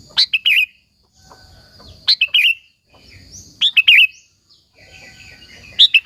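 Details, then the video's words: Sooty-headed bulbul in lively song used as a lure call for other bulbuls: brisk three-note liquid phrases, repeated about every one and a half seconds, with quiet low rustling in the gaps. "Suara Burung KUTILANG GACOR, Burung Kutilang Lain Emosi dan Ikut Gacor Ampuh untuk Suara Panggilan"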